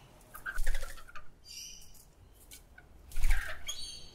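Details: Rainbow lorikeets getting frisky and competitive at a bird bath in dry weather in Sydney: two bursts of harsh, grating screeches, the second loud and broad, with wing flaps and rustling between them.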